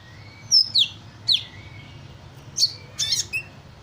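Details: Sunbird singing energetically while mimicking various other birds' calls: sharp, high whistled notes sweeping downward in pairs, separated by a thin level whistle, then a buzzy cluster near the end. A low steady hum runs underneath.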